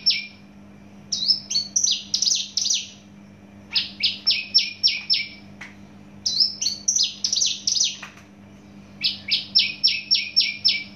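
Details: Captive Javan bush lark of Javan origin sings long rapid strings of harsh high chirps, some phrases rising then falling, others evenly repeated, with a low hum in the background.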